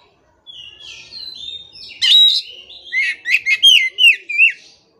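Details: Oriental magpie-robin song used as training audio for captive birds: a varied run of sweet whistles, sliding notes and sharp chirps, high-pitched and delivered in quick bursts.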